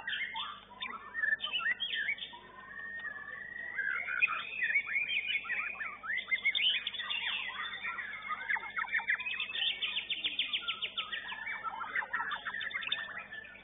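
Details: Contest-winning white-rumped shama at a singing competition in Banjarmasin pours out a long, continuous song of rising whistled phrases, harsh chatters and a rapid buzzy trill near the end, other birds faintly audible behind.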